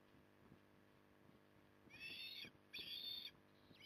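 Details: Evening feeding of an osprey at Port Lincoln, Australia, 9 October 2020: two loud, wheezy, buzzing calls in close succession, preceded by soft irregular knocking and tapping sounds.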